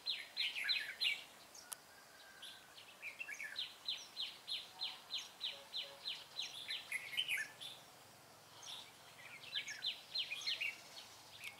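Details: Fighting song of a red-whiskered bulbul recorded while trapping bulbuls, 25 April 2017. A long run of sharp, down-slurred chirps repeats about three times a second, then pauses before another burst of warbled phrases.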